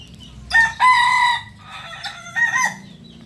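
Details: Kukuak Balenggek rooster, a chicken native to Solok, West Sumatra, crowing: two rich, harmonic bursts, a short note then a long held segment, followed after a pause by a broken, stepped crow.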